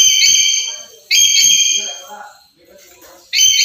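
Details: Black-capped lory used as a lure recording: loud, harsh, nasal screeches, one cutting off and another starting a second later, with soft low muttering notes between them.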